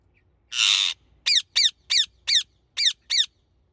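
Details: Rose-ringed (Indian ringneck) parakeet calling: one harsh, noisy screech, then six short shrill squawks in quick succession, each falling in pitch, close and loud.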